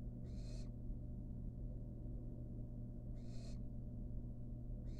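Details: Fledgling barn owl in a monitored wild nest box, feeding on a rat. Two rasping, breathy hisses about three seconds apart, with a third starting at the end, over a constant low hum.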